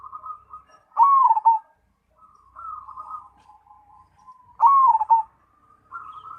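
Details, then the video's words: Zebra dove, the perkutut or merbuk, a black cemani kept for singing contests, repeating its phrase: a loud rolling trill of coos followed by a softer drawn-out coo, given twice about four seconds apart. "Perkutut Cemani Gacor"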